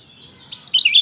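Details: Lemon-bellied white-eye singing, a recording meant to stimulate a silent bird: a faint high thin note, then a quick cluster of loud, bright, downslurred chirps.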